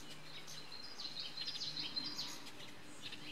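Costa's hummingbird giving quick, high, thin ticking chips and twitters in an irregular run, over a low steady hum and faint background noise.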